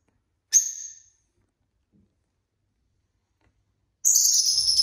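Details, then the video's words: ['Six pet lovebirds at home on a chill Saturday: a single piercing shrill screech, a long silence, then a sustained stretch of loud, rapid, high chattering calls.'] "love birds sounds"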